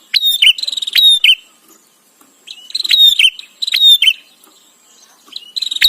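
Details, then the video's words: Bar-winged prinia singing, used for training white-rumped shama: three clusters of rapid clicks and high, slightly buzzy whistled notes, each cluster about a second long, separated by quiet pauses. "Prenjak Cerewet"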